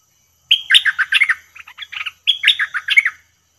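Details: A bulbul gives two bright, bubbly phrases of quick warbled and chattering notes, each about a second long, with a short pause between, during a call-trapping session in which a wild bird quickly came to the cage.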